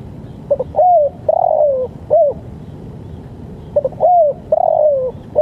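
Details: Spotted dove call meant for training and luring birds, given twice: quick stammering notes lead into an arched coo, a long gently falling coo, then a short rounded coo. The background is quiet.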